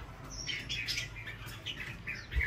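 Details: Red-whiskered bulbul caught from the wild, fluffed up in a competitive fight, makes a scatter of quick, sharp chirps and squeaky notes, fainter and broken, over low rumbling background noise.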